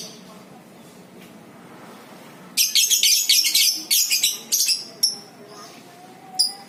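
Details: Lovebird, Batman versus Violet FC lure recording meant to make other lovebirds ngekek. A loud, shrill rattle of rapid notes pours out in bursts over two seconds, broken by brief pauses, followed by a few isolated high squeaks against low hum.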